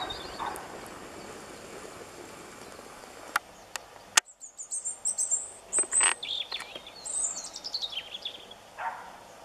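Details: Nightingale singing: after several seconds of faint background noise and a few clicks, high bright whistles and quick descending slurred notes pour out in a lively run, ending with a softer lower phrase.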